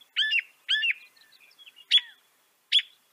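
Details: Northern mockingbird song: two matching chattering notes in quick succession, soft twitters, then two sharp high chips spaced apart.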